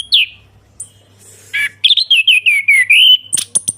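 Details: Orange-headed thrush singing in ngeplong style as a therapy lure for a silent thrush: sharp whistled opening notes, then a fast run of descending slurred whistles about six per second, ending in high thin chips over a low electrical hum.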